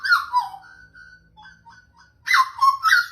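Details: Pied butcherbird song: a fluting whistled phrase sliding downward, then soft sustained notes, and a renewed burst of rich, warbling whistles at the end.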